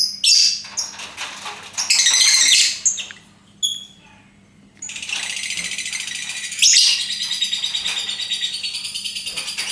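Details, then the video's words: Lovebird squawking in harsh bursts, then after a pause launching into a long, steady, high buzzing trill of rapid even pulses that runs on unbroken for five seconds. "Bagaimana cara agar Love Bird mau Ngekek"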